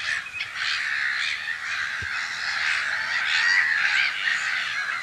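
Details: A black-headed gull colony at nests in spring, observed from a hide in Brenne, Berry, France, mid-March 2012: unbroken chorus of coarse, squawking cries from numerous birds, one brief click midway.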